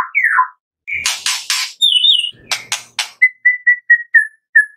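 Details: White-rumped shama 'tembakan' song from the afternoon, meant to coax another shama to sing. A falling whistle, several harsh noisy bursts and a warbled phrase, then six short, evenly spaced whistled notes.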